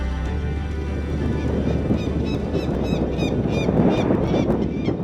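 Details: A nesting Peregrine Falcon pair on Glasgow's Gilbert Scott Tower gives alarm calls, circling and checking the nest's four chicks as a bluff: a quick series of harsh, arched notes, several per second, over heavy wind and traffic rumble with a man talking.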